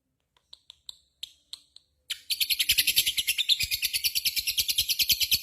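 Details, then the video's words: Lovebird in full voice giving its ngekek call: several sharp separate chirps, then a fast, even, chattering trill of high, buzzy notes that runs unbroken for over three seconds. "SUARA BURUNG LOVEBIRD GACOR,Jago Ngekek Bikin Lovebird Apapun Langsung Ikutan Nyaut Ngekek Koekk"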